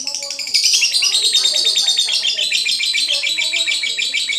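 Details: Lovebird giving a loud, continuous stream of high, rapid chattering and buzzy twittering notes, densely repeated, with a few lower tones underneath.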